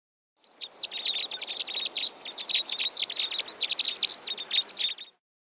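Red Crossbills in a flock give a rapid, overlapping stream of sharp, high 'kip' notes, several per second, for about five seconds over faint background hiss.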